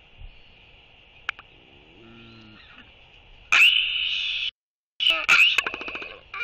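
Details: Royal albatross welcoming an incoming mate with skycalls and displays in a courtship interaction, 11.6.23: after soft low notes, a loud harsh harmonic blast lasting a second, a short gap, then a second outburst breaking into rapid pulses that fade.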